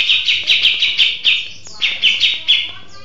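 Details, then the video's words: Cucak jenggot (Grey-cheeked Bulbul), described as settled and in full song, giving loud, bright chattering phrases in quick bursts, about two or three a second, with brief pauses between runs. "Burung Cucak Jenggot Mapan Gacor ( Long Shot Bird Song Cucak Beard )"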